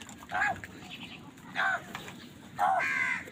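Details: Three harsh caws from crows squabbling over food come at roughly one-second gaps, the last drawn out and strongest, over a soft rural background hum.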